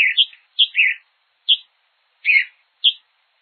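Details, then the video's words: Hepatic tanager in Brazil giving a sparse run of short notes, a high clear whistle alternating with a lower buzzy slur, spaced about half a second apart, against silence. "CANTO DE AVES DO BRASIL : sanhaçu-de-fogo."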